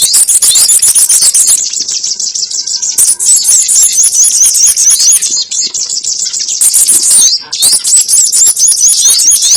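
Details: Sogon trapping lure with nonstop rapid, very high chittering notes running together in a dense, buzzy stream, broken by two brief drops.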